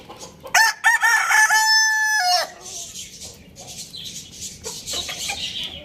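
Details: Rooster, described as a Lohmann Brown, kept as a pet with hens, chicks and budgies, crowing loudly: a long harmonic cock-a-doodle-doo held steady and ending in a drop, with busy budgie chirping around it.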